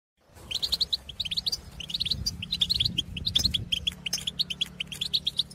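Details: European goldfinches in open country calling to others of their kind: quick liquid twittering notes in loose clusters, repeated steadily, over a low background rumble.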